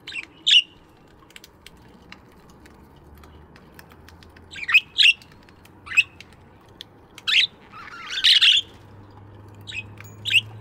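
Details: Budgerigars in an aviary in the morning: short bright chirps scattered singly with gaps of one to three seconds, one longer scratchy burst near the end, over a soft low hum.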